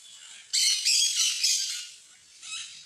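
A parrot gives harsh, raspy squawks in a burst of about a second and a half, then a softer screech near the end; nothing else stands out.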